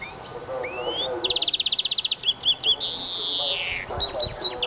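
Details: Eurasian siskin song: a rising whistle, a long rapid rattling trill, clipped chirps, then a loud drawn-out wheeze falling in pitch, ending with quick twittering notes.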